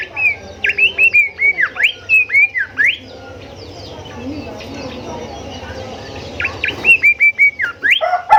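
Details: Golden whistler, known locally as kancilan emas or bimoli, singing a recording for tutoring caged songbirds: series of sharp whistled notes with downward slurs repeated quickly, a quiet pause, then another run of similar whistles.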